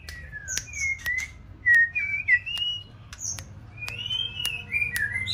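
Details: White-rumped shama of six months practising singing: short whistled notes, some falling and some rising, with sharp clicks between them and a faint low hum.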